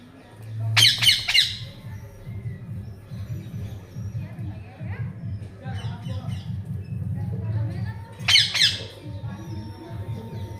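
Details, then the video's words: Pet parrot's funny squawks: a harsh, ragged burst of several quick notes early on, then a steady background of low voices or music, and a second loud squawk near the end. "My Parrot s funny sound will make you laugh"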